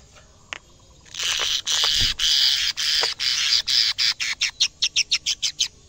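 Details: A canary in its cage, singing hard at its first sight of a camera, gives a long, dense, buzzy rolling trill. It breaks into quick pulsed notes that repeat faster and faster toward the end.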